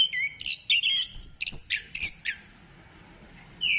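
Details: Rapid, varied orange-headed thrush song used to stimulate other birds to sing, 15 December 2025: a quick string of sharp chirps and high whistles for two seconds, a silence, then a rising whistle.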